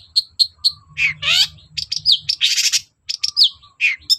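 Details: Long-tailed shrike in full, lively song, played as a lure to make reluctant shrikes sing: quick high chirps, then slurred rising and falling whistles and dense scratchy bursts, varied and unbroken, with a faint low rumble beneath.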